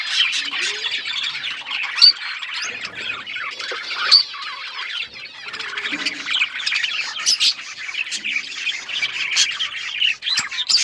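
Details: Pet budgerigars chatter nonstop in a dense, scratchy warble of chirps, clicks and squeaky notes from several birds at once, with occasional sharper squawks.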